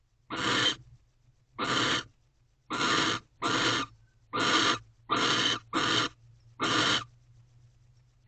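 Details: A male barn owl in a nest box at dawn on 19 March 2023 courts a female by offering a new rodent; eight rasping hisses about a second apart over a low steady hum.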